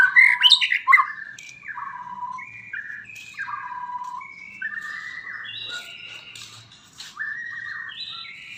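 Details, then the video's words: White-rumped shama singing a varied run of whistled phrases. Sharp high notes come first, then mellow slurred whistles and buzzy upper notes, delivered continuously with no pause. "suara burung murai auto gacor"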